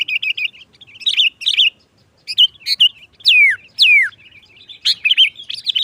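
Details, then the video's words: Sooty-headed bulbul song used as a trapping lure, sharp gacor nggaruda style: chattering chirps, then two long whistles sliding steeply down, followed by more lively, varied chirps. "Suara Burung Kutilang Gacor NGGARUDA TAJAM | Pancingan pikat Kutilang jadikan Kutilang ribut"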